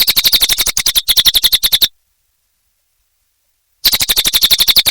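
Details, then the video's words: Gacor song of a cililin bird: two runs of rapid, high-pitched chattering notes at a fast, steady pace, split by a silent gap of about two seconds. "Suara Burung Cililin Gacor Durasi Panjang"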